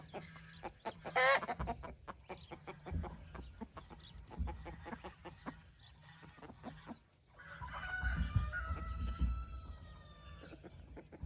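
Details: Rooster among hens on an evening in golden light while the birds scratch; a drawn-out harmonic crow sounds at a distance late in the clip, after a sharp squawk and soft clucks over scratching.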